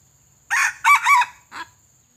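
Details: A pale, white-legged red junglefowl used as a trapping decoy, crowing during a lure-training session: one loud, clipped crow in four parts, a sharp opening note, a longer double-humped middle and a short abrupt final note, with a quiet background.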